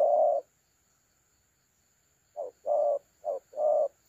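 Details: Spotted dove cooing in the thổ calam style, recorded on 30 October 2022 during dove trapping: one low cooing note, a pause, then four deep, hollow notes alternating short and longer, over a faint steady high hiss.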